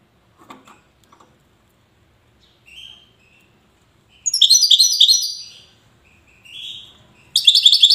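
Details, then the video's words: European goldfinch, Wydani type, from Safi in Morocco, gives scattered soft notes and a thin drawn-out call, then a dense burst of high liquid twittering and a final fast trill. "حسون ويداني"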